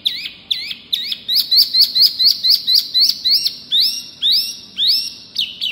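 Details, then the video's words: Loud Pygmy cupwing song of repeated high, hooked, upward-sweeping whistles, speeding into a rapid string of clipped notes before slowing to longer rising slurs. "Si Kecil Wambi Mini Gacor Suara Keras Lantang Jos"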